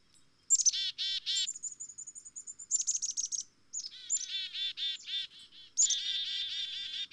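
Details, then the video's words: Black-capped chickadee giving chick-a-dee calls. Thin, high opening notes are followed by dense runs of harsh, buzzy 'dee' notes. A steady, high, faint whistled tone sits beneath the calls early on, and a soft low hum runs throughout. "Black-Capped Chickadee Tweets"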